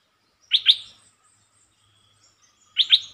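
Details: Red-whiskered bulbul of a fast-opening singing style, giving short song phrases: a pair of quick bright whistled notes, then silence, then the same pair again near the end.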